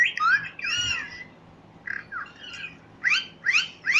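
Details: Parrot chirping: harsh, squawky calls in short bursts, some with quick rising sweeps, coming in clusters with brief pauses over a faint steady hum.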